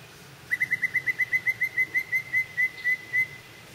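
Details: Yellow-breasted chat in a holler in spring, several birds chasing each other in territorial or mating behaviour; a fast series of about fifteen clear whistled notes on one pitch, slowing slightly toward the end.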